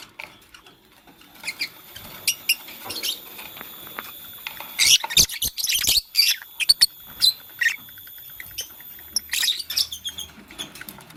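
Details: Green and pastel Fischer's lovebirds building a nest give a busy run of loud, shrill, buzzy chirps in uneven bursts, densest in the middle, mixed with scratching and rustling of nest material.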